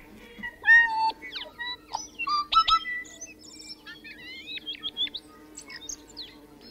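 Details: Tui song: a varied run of clear bell-like whistles, sudden high chimes and sliding notes, with some clicks and wheezy tones between phrases, over a steady low hum.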